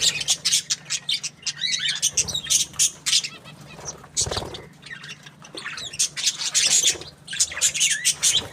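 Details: Happy budgerigar chirping: rapid bursts of high, sharp chirps and short warbled notes in quick clusters, with brief pauses between runs and a faint steady low hum behind.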